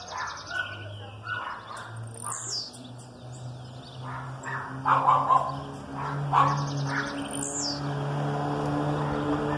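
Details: Aggressive male blue-black grassquit song with female calls behind, used to excite males and teach young: two high, buzzy, down-sweeping phrases about five seconds apart, with softer female chirps and a steady low hum.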